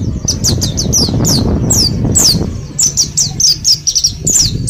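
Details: Ten days into learning the ngalas style, a group-caged mountain white-eye from Mount Slamet pours out quick, thin, down-slurred chirps in near-continuous series, with loud low-frequency background noise early on.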